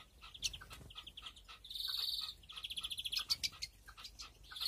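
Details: Aviary-bred European greenfinch, 2021 breeding season: a long nasal buzzing wheeze, then a rapid pulsed trill and sharp chirps, ending with the start of another buzz.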